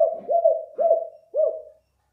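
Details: Spotted dove, locally balam kuk, cooing as a bird-catching lure: three or four hollow, arched coos in quick succession, the last trailing off into silence.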